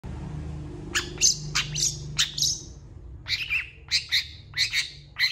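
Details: Long-tailed shrike singing energetically with a song full of varied fill phrases: sharp, harsh chattering notes in short bursts, a pause, then another run of rasping high notes, over a steady low hum.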